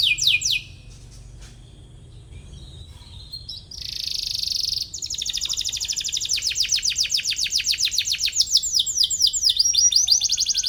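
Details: Atlantic canary chirping as if searching for a rival, song used to teach young canaries; brief opening notes, a quiet gap and a buzzy burst, then a long fast rolling trill.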